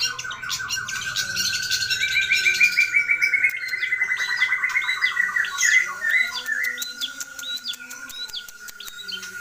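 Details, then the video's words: Cendet, or long-tailed shrike, singing a song packed with mimicked fill-in phrases. Rapid chattering and trilled notes run over a constant steady tone throughout, with scattered high chips and clicks toward the end. "Burung Cendet Atau Pentet Gacor Isian Melimpah Komplit FULL Master"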